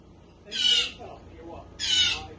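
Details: Rescued baby blue jay, hand-raised, screaming for food while offered a Cheez-It snack: two harsh, hoarse, broadband screeches about a second apart, each roughly half a second long, with quiet background between.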